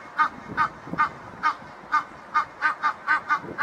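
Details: Egyptian geese from a backyard pair give a short series of ten or so clipped, nasal honks at an uneven pace, with faint low rustling underneath.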